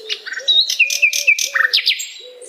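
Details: Cheerful dusk song of a flycatcher, quick mixed phrases of high whistles, short sliding notes and rapid chips, while a lower soft call repeats in the background.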